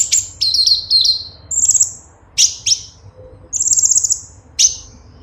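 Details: Cucak cungkok bulbul, in a song recording for tutoring kept birds: high downward-sweeping whistles alternating with short rapid trills, each phrase separated by brief silences.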